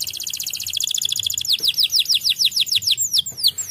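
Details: White canary singing in a way said to agitate other canaries: a rapid, even buzzy trill of tiny notes, then about ten quick downward-sweeping whistled notes in a steady run.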